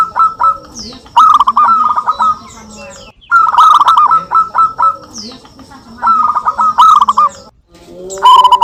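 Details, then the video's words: Local zebra doves exchanging song, used as a lure: three rippling phrases of rapid, steady-pitched coo notes, each about two seconds long and separated by short pauses, with a faint whistle before each. "perkutut lokal gacor suara saling saut"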